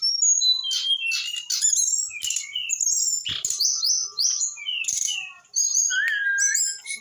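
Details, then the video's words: Brown-chested jungle flycatcher, eight months old, delivering a long varied song of high sweeping whistles, mimicked-sounding twitters and harsh notes, ending in a lower steady whistle and rising phrases. "USIA 8 BULAN BURUNG SIKATAN RIMBA DADA COKLAT ( SRDC) UDAH BISA ROCK N ROLL"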